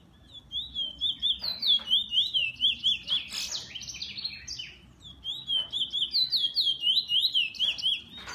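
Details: Kept bullfinch delivering loud, evenly pulsed trills of high zigzag notes, about two per second, in two phrases broken by a short burst of sharper chirps.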